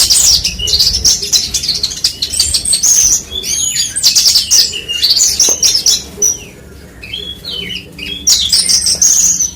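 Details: Horsfield's bush lark (branjangan) pouring out high, fast chirps and thin whistled slurs in bursts, with brief pauses between phrases.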